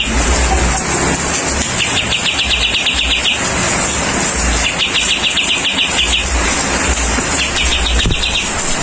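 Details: Kapas tembak bulbul calling while rain falls, three separate bouts of fast, chattering high notes spaced a few seconds apart, each about a second long, over hissing rain and low rumble.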